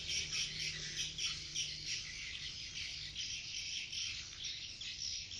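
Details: Edible-nest swiftlets at 2:30 pm in sunny, slightly cloudy weather, a large crowd flying around inside and outside a swiftlet house, recorded from a distance. A dense, continuous chorus of high rapid chirps and twitters, with a faint low hum underneath.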